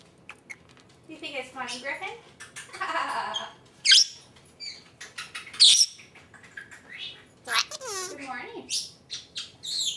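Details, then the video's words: A female pet Senegal parrot, on her first time with the camera, chatters in scratchy, speech-like phrases, saying "Vrockypoo", broken by a few sharp, high whistles, with a person's voice heard too; Senegal parrot talking. "Senegal parrot talking"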